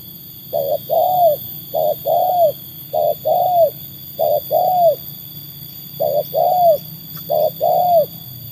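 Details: Spotted dove, trained and proven against wild birds, giving repeated paired coos: a brief note and a longer arched one, about seven phrases evenly paced, with faint high chirps and low hum in the background.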